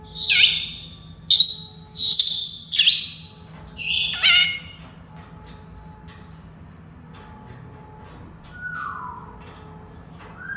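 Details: Senegal parrot calling with four loud, rasping squawks in quick succession over about four seconds, then a quieter pause before a soft, smooth falling whistle and the start of another near the end.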